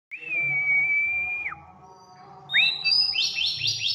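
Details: White-rumped shama in energetic full song: a long sustained whistle that ends in a drop, a pause, then an upward-swept whistle followed by a quick series of repeated high rising notes.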